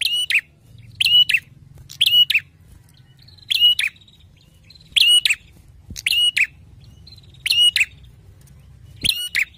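Bar-winged Prinia giving loud, sharp, ringing doubled notes, repeated roughly once a second, over a faint low hum.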